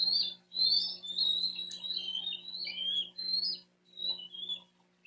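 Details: Young male Bald Eagle fledgling, 88 days old, perched in a distant tree away from its South Florida nest in June, calls for his brother with a near-continuous run of high, squealing, wavering whistled chirps that rise and fall, then fade.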